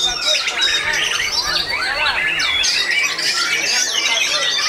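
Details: Murai batu (white-rumped shama) singing at a bird-song competition in Ngawi, Indonesia, featured bird runner-up in its class: continuous rich whistles, sweeps and scratchy notes from multiple caged birds singing at once.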